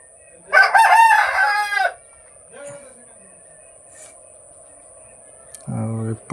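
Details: Rooster at an Odisha desi chicken farm, among chickens that arrived today, gives a single strained, harmonic crow lasting about 1.4 seconds. A steady background hum follows, with a faint short call and a brief low buzzy sound near the end.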